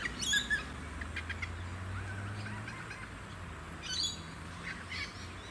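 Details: Australasian swamphen, the Australian variety of purple swamphen, at a small artificial lake on Queensland's Sunshine Coast in November 2017: harsh broadband screeching bursts near the start and again around four seconds, over steady wind rumble and suburban noise.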